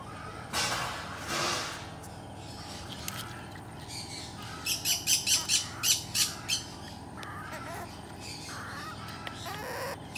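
A yellow-backed chattering lory gives two drawn-out harsh screeches, then a quick run of about eight rasping squawks, over a steady background hiss.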